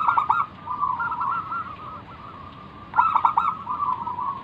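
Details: Zebra dove from a local line in manggung song, used as a lure for other doves: staccato note bursts at the start and near the end, linked by smooth rolling cooing.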